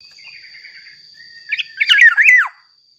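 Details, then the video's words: Black-naped oriole (kepodang mas) singing energetically, used as a lure to get other orioles to sing: a quiet wavering whistle, then a loud burst of rich fluty, slurred notes sliding downward, over a steady thin high whine. "Suara burung KEPODANG MAS gacor"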